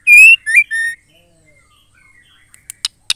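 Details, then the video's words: Female white-rumped shama calling, used to stir males into singing. Three loud, buzzy, harmonic-rich notes, each rising or falling, come in quick succession. After a quiet gap there are a few sharp clicks. "MURAI BETINA GACOR AMPUH MENCETAK MURAI LAIN JADI GACOR"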